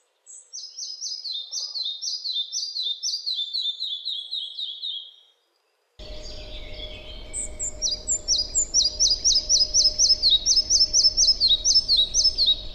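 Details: Red-breasted Flycatcher song: a high, quick run of repeated notes, very similar to the European pied flycatcher's at the start and middle, then slowing and falling away at the end.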